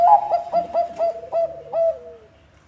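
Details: Lure song of a Bangkok-type zebra dove for drawing in other zebra doves: six rhythmic, bright coos at one pitch, the last stretched and gently falling away.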